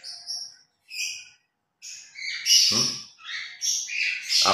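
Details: Two pet grey parrots during their morning routine and play, a little noisy: short clear whistles rising and falling, then a burst of harsh chattering squawks and bright tweets.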